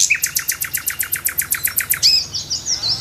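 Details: Morning song of a nightingale in a tree: a loud rhythmic series of about fifteen sharp repeated notes, several per second, ending in a high whistled note and softer twittering.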